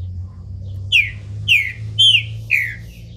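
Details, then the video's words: Bald captive Green-winged Saltator in Brazil, coming out of moult, sings four loud, clear whistled notes, each sliding downward, spaced about half a second apart against a faint low hum. "Trinca ferro careca, saindo de muda!!"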